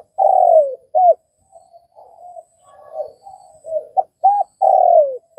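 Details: A Vietnamese spotted dove gives a long falling coo and a short arched note, then soft murmured cooing, and ends with two short notes and another long falling coo.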